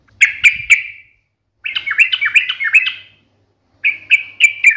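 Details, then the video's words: Sooty-headed bulbul delivering sharp, combative chatter to make other birds respond instantly. Three crisp, ringing notes open the clip, then a hurried, scratchy run of bubbling notes, then more clipped ringing notes after a pause. A faint thump and a low hum are audible. "KICAU SUARA trucukan gacor NGALAS TAJAM TARUNG ini MENJADIKAN burung trucuk gacor NYAUT SEKETIKA"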